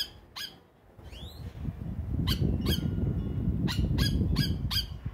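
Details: At a Trinidad bird feeder in the evening, a Yellow Oriole, the Plantain bird, gives a short note and a sweeping rising call. Six harsh, chattering notes follow in two quick bunches, with low background rumble.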